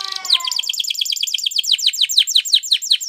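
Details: Spanish Timbrado canary training song: short burst of rapid, evenly spaced falling notes, about six per second, bright and ringing throughout.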